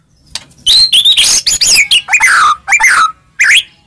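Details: White-rumped shama song played to provoke a reply, a rich run of loud chirps and sweeping whistles, several notes sliding sharply downward, delivered in quick bursts with brief gaps.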